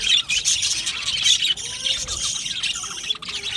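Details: Many budgerigars kept together in an aviary, giving a steady stream of shrill squawky chirps and twittering notes, loud throughout with a brief dip near the end.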